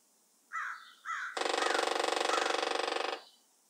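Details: In Boulder, Colorado, on 19 March 2023, two harsh, slurred calls come before a Northern Flicker drums on a metal chimney: a fast, even, ringing roll of about twenty beats a second lasting nearly two seconds.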